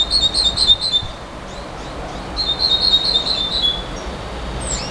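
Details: A nightingale gives two quick runs of sharp, ringing repeated notes, followed by a high thin whistle near the end, over steady background hiss.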